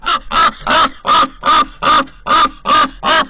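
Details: Raven at a nest site in Corbera de Llobregat near Barcelona, recorded by a nest camera. Nine loud, rasping croaks follow each other in a fast, even rhythm, almost three per second.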